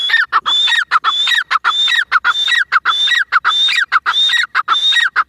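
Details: Grey francolin calling in a loud, fast series of harsh repeated phrases, each a high whistled note followed by descending squeaky syllables, about a hundred per minute without pause.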